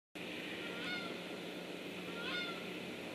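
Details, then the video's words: Geese flying over, recorded 8 September 2013: two short nasal honks about one and a half seconds apart over a steady broad hiss. "GEESE FLY OVER"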